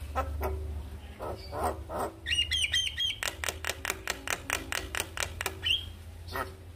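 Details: Black-winged starling morning song intended to stimulate a silent bird: a chattering trilled burst, then a steady run of crisp repeated clicks, roughly four per second, ending with a rising whistle.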